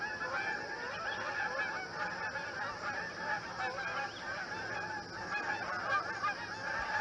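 Canada geese honking in a dense, overlapping chorus of nasal, rising-and-falling calls, several birds at once with no pause.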